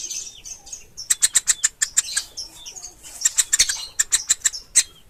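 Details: Woodpecker nestlings calling; a rapid series of high, sharp chirps in two bursts, each note clipped and evenly spaced, with softer squeaky notes between bursts.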